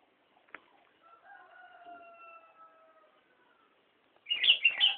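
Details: Sooty-headed bulbul at Nambangan: a long, level distant crow fills the opening seconds, then the bulbul bursts in at the end with a loud, quick, chirpy three-note warble.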